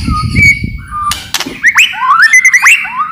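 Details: White-rumped shama singing to provoke other shamas: clear steady whistles, a pair of sharp clicks, then a fast run of upswept slurred notes gliding up and down.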